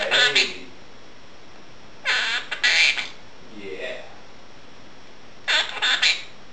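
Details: Indoor female Quaker parrot talking beside dishwashing; short harsh, scratchy syllables in clusters, separated by pauses and a soft, low mumbled phrase.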